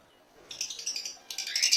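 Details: Captive African lovebirds in a Kerala aviary produce a rapid run of thin, high chirps, then a louder burst of shrill squeaky twittering, with faint background noise.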